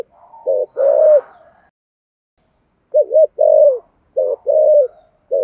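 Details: Spotted dove with 'thổ sấm' voice, 'thúc gù' cooing: low mellow phrases of a short note and a sustained coo, the first slightly rougher, then two clean repeats about a second apart.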